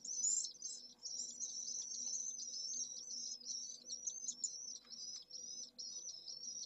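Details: Pallid swift nest in the centre of Jerez de la Frontera with one chick, at midday on 25 August in a heatwave over 44°C; shrill rasping trills pour out nearly continuously, a low hum beneath.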